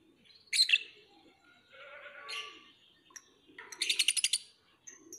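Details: Lovebird gives a sharp squeak, a softer scratchy warble, then a fast rattling burst of high chirps, with faint low background noise.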